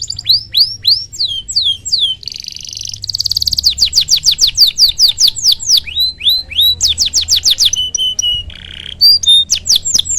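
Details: Canary singing a loud, varied song meant to stimulate other canaries: rapid runs of high sweeping whistles, buzzy trills and sharp repeated notes shifting between phrases, with long rolling sequences and no break.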